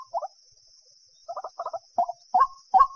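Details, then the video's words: Common moorhen giving short, throaty clucks and gurgles in quick bursts, ending in harsher rising croaks, over a steady high electronic whine. "Jal Murgi Ki Sound |Jal Murgi Call Voice | Ban Murgi Ki Awaaz"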